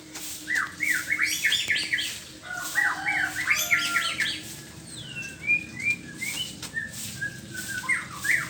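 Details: Morning song of a white-rumped shama: fast bursts of sharp, rising and falling whistled notes, then a slower string of clear, separate whistles, over a low steady hum.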